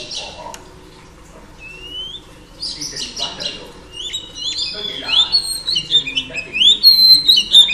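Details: Female Oriental Magpie Robin singing to stir up males; after a quiet start, rising whistled notes and sliding high phrases build from the midpoint, growing louder and denser toward the end.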